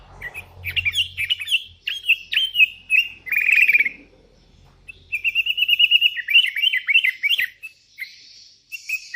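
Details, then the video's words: Sooty-headed bulbul calling to rivals while wild ones answer: rapid, dense chirping phrases, then a long even run of quick repeated whistled notes followed by a few bouncing notes. "Suara burung kutilang gacor memanggil lawan"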